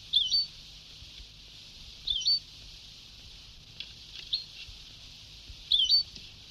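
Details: European goldfinch from a very old Sebtaoui-style recording: brief, isolated, twisting chirps spaced a second or two apart, with long hiss-filled pauses between them.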